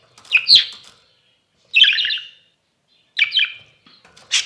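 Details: Exhibition budgerigar calling indoors: three loud, harsh chirping bursts spaced about one and a half seconds apart, each a quick rasping squawk, followed by a fainter final call.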